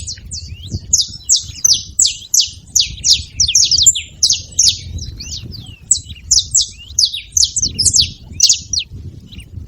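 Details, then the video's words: Many saffron finches together keep up a steady stream of piercing, down-slurred chips, several per second and often stacked. The noise hardly lets up across nearly ten seconds, over a faint low background rumble. "Canário da terra junto fazendo barulho"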